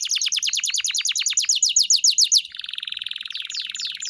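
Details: Canary song used as a training track to teach a pet bird to sing: fast, bright trills of repeated downward-sweeping notes for about two and a half seconds, then a buzzier, denser rolling trill with sharp sweeps layered above.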